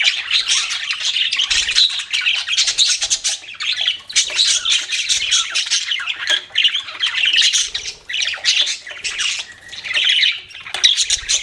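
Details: Budgerigars keep up steady chirping, a busy stream of high twittering and squeaky warbles with short dips in loudness, while faint low knocks sound now and then.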